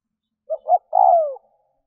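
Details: Spotted dove coo phrase used as a lure to stir up wild doves: two brief rounded notes, then a drawn-out cooing note that slides downward and fades. The background is clean and quiet.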